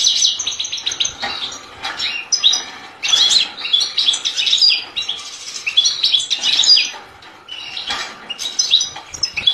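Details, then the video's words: Goldfinch singing a fast, continuous stream of liquid twitters and chirps, with repeated high clipped notes and scratchy buzzes running throughout. "Chant du Chardonneret"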